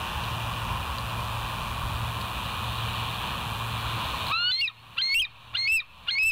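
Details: After four seconds of steady hum and hiss, a bald eagle breaks into a series of high, squeaky, down-curving notes, roughly two a second, filmed by a live nest camera on 24 July 2023.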